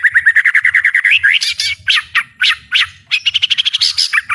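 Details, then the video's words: White-rumped shama in powerful song: a fast run of repeated whistled notes, rising sweeps, harsh bursts, then another rapid series of high notes, with a faint low hum underneath. "ISIAN MURAI BATU GANAS❗TEMBAKAN MURAI BATU BUKA PARUH VOLUME PENUH POWER💥 SHAMA BIRD"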